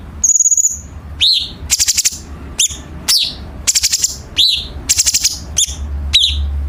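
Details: Chinese bulbul training song for competition birds, sharp harsh style: an opening thin high whistle, then a string of quick staccato rattles and downslurred chips in short clustered bursts.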